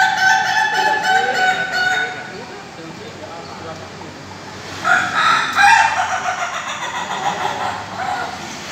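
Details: Indonesian laughing chicken (Ayam Ketawa) at a joint training session in a Bogor farm pen. Quick repeated pulsing syllables for two seconds, a lull with background talk, then a fresh loud burst of overlapping crowing.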